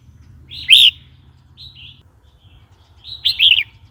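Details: Red-whiskered bulbul singing, for provoking new or old wild birds and teaching young ones: a loud warbled phrase, a soft short note, then another bubbly whistled phrase.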